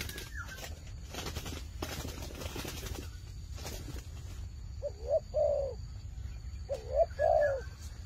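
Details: Turtle dove kept as a fighting dove: several seconds of rustling and flapping-like noise, then two pairs of low cooing notes, each pair a short coo followed by a longer one.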